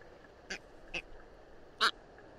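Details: Brown booby (Sula leucogaster) call: three short, harsh, quacking honks at uneven intervals, the last one loudest, over a faint steady background hiss.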